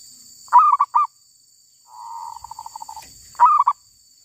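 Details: Wild female zebra dove, caught while trapping, repeats a loud throaty three-note coo, interspersed with a quieter rippling run of quick coos, over a steady high hiss and a brief click.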